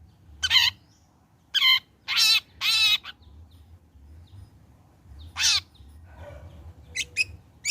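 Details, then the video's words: Long-tailed shrike, recorded after the trotol moult as a lure for song: several loud raspy, buzzy calls in a group, a single rasp later, then thin high chips, over a quiet low hum. "Burung Cendet Gacor Selepas trotol PANCINGAN CENDET AGAR BUNYI"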